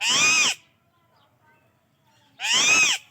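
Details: Indian ringneck parakeet calling near alexandrine parrots: two loud, grating screeches about two seconds apart, each roughly half a second long, harsh and arched, with near silence between them.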